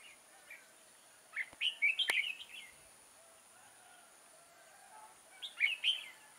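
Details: Red-whiskered bulbul used as a decoy while trapping bulbuls on 6 October 2018; two short, faint, warbled chattering phrases around the middle and the end, with a steady high hiss and a sharp click.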